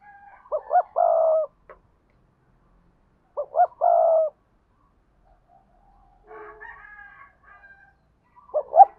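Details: Spotted dove used as a decoy in Đồng Nai giving double-voice coo phrases to call wild doves. Short pips and arched coos end in a long held note, repeated about every three seconds, with faint other bird calls between.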